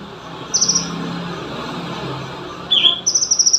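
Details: Olive-backed sunbird, recorded for song training: a brief high chirping burst, a pause, one lower sweeping note, then a rapid, even, high trill of buzzy notes over faint background hiss.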